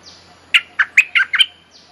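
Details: Bulbul song from a mate-calling lure for teaching young birds: five to six quick, rich chirps in under a second, with faint higher whistles before and after.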